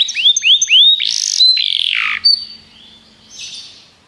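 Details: Canary song for training: three upward-curving whistles followed by harsh buzzy notes and a held whistle, fading to quiet with a soft distant call.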